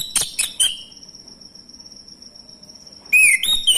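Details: Male orange-headed thrush lure song for coaxing silent birds to sing: three sharp, high chirps, a long quiet stretch with only a thin steady tone, then loud sliding whistles at the end.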